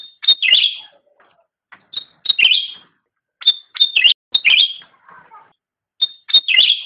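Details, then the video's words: Cucak rante singing, recorded as master training material for caged songbirds: loud bright phrases of ringing high notes sliding into buzzy twisting trills, repeated about every second with brief gaps and faint low warbles. "Suara Burung Cucak Rante | Gacor"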